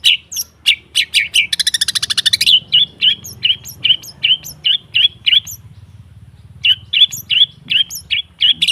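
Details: Long-tailed shrike training lure for a bird that has gone silent: sharp ticking notes leading into a fast high buzzy trill, then repeated short whistled chirps about twice a second with a brief lull.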